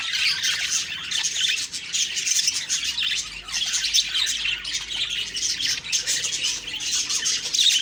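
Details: Several budgerigars in the morning keep up a lively stream of bright, twittering chirps and chattering warbles, swelling in bursts roughly every two seconds.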